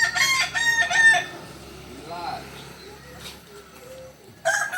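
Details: A Kukuak Balenggek chicken from Solok ends a crow in rapid stuttering syllables, followed by quiet low background notes and a soft arched call, then a fresh loud crow bursts in at the close.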